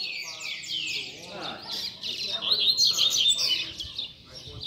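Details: Double-collared seedeater teaching song for young birds: dense, high, fast warbling with buzzy trills and sweeping slurs, partly overlapped by a person talking in the background.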